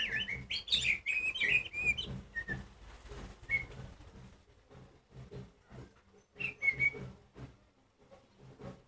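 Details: Oriental magpie-robin (Copsychus saularis) song, used to provoke silent birds into singing: loud, varied phrases of clear whistles and chirps in bursts with short pauses between them.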